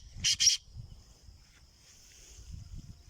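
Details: Black francolin (kala teetar) kept in captivity uttering a quick double burst of grating, scratchy notes near the start, followed by a quiet stretch with low background rumble.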